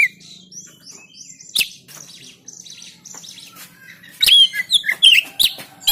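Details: Oriental magpie-robin from Banten, Indonesia, recorded with an Android phone for training silent birds to sing. Soft, high chittering at first, then loud bursts of sharp whistled notes and slurred trills near the end.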